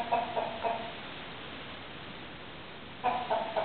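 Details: Domestic chickens and roosters, with a run of three rapid nasal clucks, a quiet stretch of about two seconds, then another quick series of clucks at the end.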